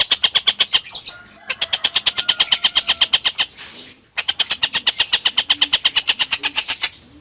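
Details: Chattering collared kingfisher used to tutor lovebirds: rapid, harsh kek notes repeated in long rattling runs, broken by two brief pauses. Faint softer chirps sound underneath.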